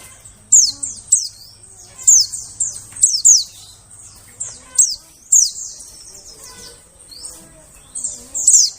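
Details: Forest lure recording of white-eye calls for attracting birds: a busy series of thin, piercing notes dropping quickly in pitch, often in quick pairs or triplets, repeated irregularly throughout, with a faint low hum early on.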